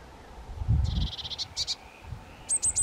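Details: Two young White-tailed Eagles utter short bursts of rapid, high piping notes, then a trio of very shrill clipped squeaks, with a low thump of wind or handling noise.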